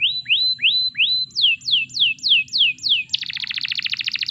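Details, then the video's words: Canary singing to get other canaries singing: four rising whistles, six falling whistled notes, then a rapid buzzy trill. "Masteran Suara Burung Kenari || AMPUH Untuk Memancing Kenari Lain Agar Ikut Gacor !!!"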